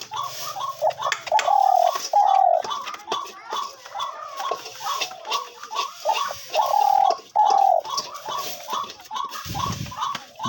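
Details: A spotted dove kept as a hunting decoy coos steadily in soft, hollow phrases of mellow notes, repeated every few seconds, while a man talks nearby; he says it calls very often.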